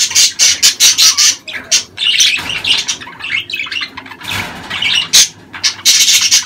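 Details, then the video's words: Budgerigars in breeding season, chattering as a sound used to stimulate mating and egg-laying in females. Dense, high warbling chirps come in quick bursts, with a short pause near the middle before the busy chatter resumes. "دع اناث البادجي تسمع هذه الاصوات كي تبيض بسرعة"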